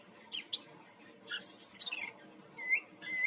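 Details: Brown-chested jungle flycatcher from Bali, a lure recording used to get other birds singing: sharp high chirps, then a noisy buzzy burst, then two rising whistled notes near the end, over a faint hiss.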